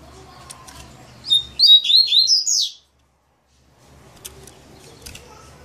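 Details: Double-collared seedeater in maninho song: a fast, ringing run of about six rising, slurred high notes packed into just over a second, followed by a pause and faint background chirps.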